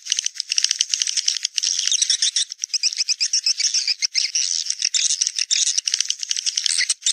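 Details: Swiftlet call of the 'Naga Merah' type, played to lure swiftlets to come to nests; dense, continuous high chirping twitter with rattling bursts and only brief gaps throughout.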